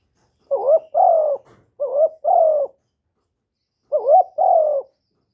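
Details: Spotted dove used to stir wild doves, recorded without background noise: paired coos, a short rising note then a longer falling one, given in three couplets across five seconds, low and mellow.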